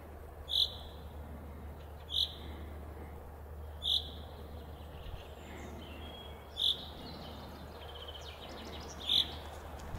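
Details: A chaffinch falling asleep gives five short, sharp, high chirps at uneven intervals of about two seconds, over a faint low hum.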